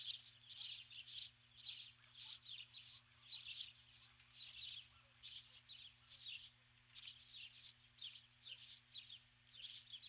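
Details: A female Osprey calls from the nest at dusk on 21 July 2015, summoning her mate, who stays away. Loud, insistent high chirps pour out in uneven clusters for ten seconds, barely pausing.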